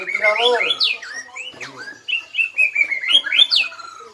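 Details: Black-legged white-rumped shama from Bahorok, Indonesia, delivering a 'nembak' burst of song: rich whistled phrases sliding up and down, quick rising sweeps and short repeated notes in a rapid, varied stream, with no other clear sounds.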